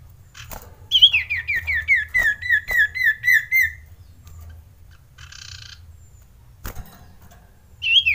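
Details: Male common iora, excited and ready to mate, in a lure recording meant to rouse ioras into singing: a run of about eight loud whistled notes, each slurring downward, repeated rapidly for three seconds, then a further whistle after a pause.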